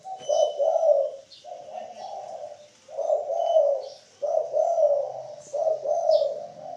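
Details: 'Kuk 3' song of a spotted dove (derkuku) used to train cage birds: five low, throaty coo phrases in steady succession with brief gaps, with faint high-pitched whistles from other birds overhead.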